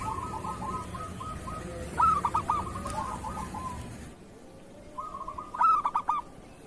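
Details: Zebra dove of local stock singing kerot style, used to prompt reluctant doves to sing: soft pulsed cooing, a loud rolling phrase of quick stuttering notes, a quieter gap, then another bright bubbling phrase.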